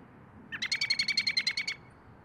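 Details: An American robin in Michigan gives a quick chattering run of about a dozen sharp, even notes, roughly ten a second, over a faint low rumble.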